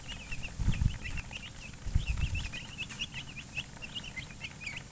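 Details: Chicken chicks peeping steadily in high, quick notes while heavy low thuds and knocking sounds come in bursts during the first half.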